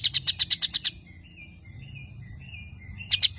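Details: White-rumped shama delivering sparrow-like chirping: a fast series of about eight sharp chirps, then soft, thin whistled notes wavering up and down, then another burst of chirps.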